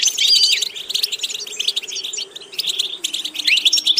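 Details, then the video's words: European goldfinch song used for vocal training: rapid, dense twittering with buzzy trills and sharp rising and falling whistled notes, in bursts with a short pause near three seconds, over a faint steady low hum. "Watch how to develop a distinctive vocal character for the Goldfinch"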